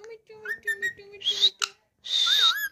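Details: Pet parrot vocalising with a short run of steady, whistle-like voiced notes, then two brief bright whistled phrases, one rising and one wavering, amid a person's voice repeating the bird's pet word.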